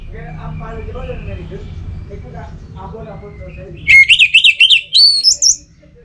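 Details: Orange-headed thrush in song, meant to encourage birds that are not singing: soft, low warbling murmurs and background noise, then a loud burst of rapid, repeated, clear whistled notes that climb higher toward the end.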